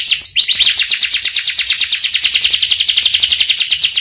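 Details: Canary singing a long rolling song: after a brief opening note, a steady, rapid series of high, sweeping repeated notes runs without pause.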